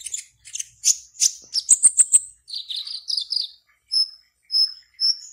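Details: Sunbird in an online singing contest from Serang, Banten, Indonesia, giving scattered sharp high chirps that run into a quick twittering phrase, followed by short, evenly spaced thin whistled notes.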